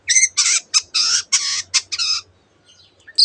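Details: Long-tailed shrike delivering a string of loud harsh buzzy notes, each broad and grating, about eight in two seconds, then a pause; its song carries imitations of canary and many other birds.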